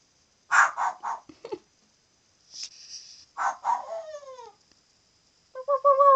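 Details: Pet parrot imitating barking: a run of short, harsh, bark-like bursts, then a nasal squawk and drawn-out descending whistled notes, ending with a clear harmonic whistle.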